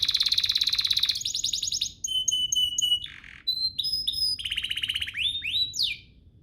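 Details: Singing canary intended to excite other canaries into song: dense buzzy trill, pure whistled notes repeated in pairs, a short rasp, then rattling trill and rising slurs fading at the end.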